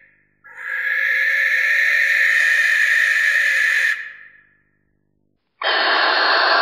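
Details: Harsh, hissing Barn owl screech held steadily for about three seconds and fading out, followed by silence and then the start of another loud rasping sound.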